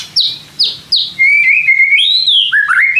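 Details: White-rumped shama song for prompting other shamas to respond, opening with three sharp downslurred notes, then a sustained warbling whistle that rises and falls before dropping low.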